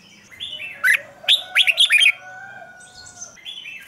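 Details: Red-whiskered bulbul singing in the morning for training, a few slurred, rising and falling warbled notes over a steady background tone and low murmur.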